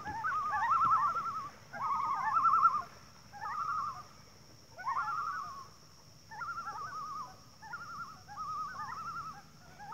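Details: Group of thirteen common loons gathered on water, calling in overlapping, quavering tremolos that come in separate bursts every couple of seconds, somewhat distant, over a constant high-pitched hum and low background rumble.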